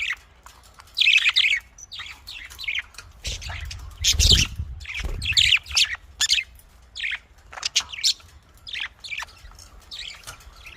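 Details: Budgerigars, called Australian parrots, kept in a cage for breeding: bursts of sharp chirps and scratchy warbles, loosely repeated, with a low rumble of handling or movement near the middle.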